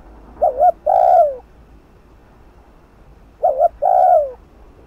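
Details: Spotted dove 'thúc gù' cooing meant to provoke decoys into calling: two phrases about three seconds apart, each a short doubled note followed by a long, low coo that bends downward.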